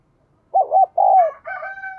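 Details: Spotted dove of the 'đồng kim' voice style, cooing to stimulate newly caught birds. A low three-note coo with a longer falling last note, then a rooster starts crowing.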